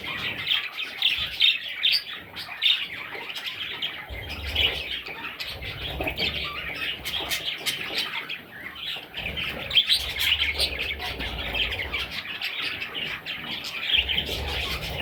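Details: Chicks of a parrot produce continuous overlapping squeaky chirps that swell and fade in waves, with intermittent low rumbles and bumping sounds.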